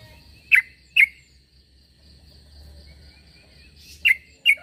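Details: Calling sooty-headed bulbul, meant to make other bulbuls respond: two sharp chirps, a long lull with soft background noise and a faint steady whine, then two more chirps.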